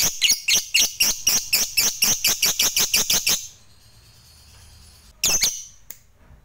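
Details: Lovebird fighter song of long chattering, used to provoke other lovebirds into singing: a fast run of harsh, high, buzzy chatter notes repeated about four times a second for over three seconds, then a pause and one more short burst.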